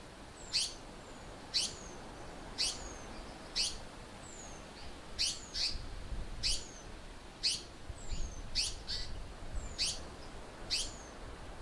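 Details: African paradise flycatcher, possibly a female scolding a Spotted Eagle-owl in the evening or a Fork-tailed Drongo: harsh, high scolding notes about once a second with thin falling whistles between, over a low rumble.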